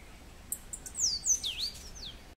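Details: In Grecia, Costa Rica, a Cabanis's ground sparrow calls loudly and close: a string of high, piercing slurred notes, some falling and some dipping then rising, packed into about a second and a half.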